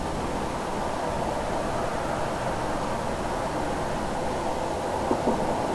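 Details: Dense broadband rushing noise, like wind or a passing vehicle, runs throughout with no animal call audible.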